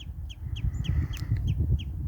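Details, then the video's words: Common redshank on an estuary at low tide on a sunny day gives a rapid run of short, high, falling piping notes, about four a second, as it flies off; heavy low rumble of wind and water. "that bird you can hear it's a red shank"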